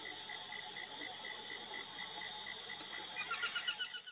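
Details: An Aplomado falcon (Falco femoralis) calls, giving a quick burst of about seven harsh, chattering kek notes near the end, over a steady, rapidly pulsing insect-like trill.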